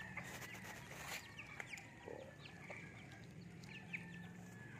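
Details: Newly acquired pet Serama chickens cluck and chatter in short, scattered notes while being fed, over a steady low hum, with a child's voice and other yard sounds mixed in.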